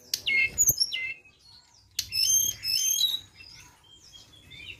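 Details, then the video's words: Flowerpecker song used as a lure: thin, high, sweet twittering phrases with rapid sliding whistled notes, in two short bursts separated by a pause, fading to soft scattered high notes. "Pancingan Ampuh BURUNG TLEDEKAN"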